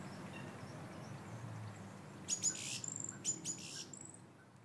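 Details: Song thrush in Variko, Pieria, Greece, in 2022, giving a quick run of very high, thin, scratchy notes with a few pure whistled squeaks, after a quiet start over a soft low rumble.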